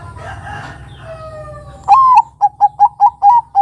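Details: Perkutut Bangkok zebra dove song as a lure for young doves: the first half is a drawn-out, descending whistled sound over a low hum, then a sharp rising coo followed by a quick series of short, repeated notes.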